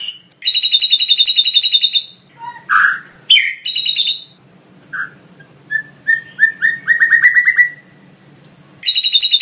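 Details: White-rumped shama (murai batu) master training song with lovebird-style phrases: a rapid high chattering trill, sharp squeaky slurs, then a run of soft whistled notes speeding into a quick series before the chatter returns.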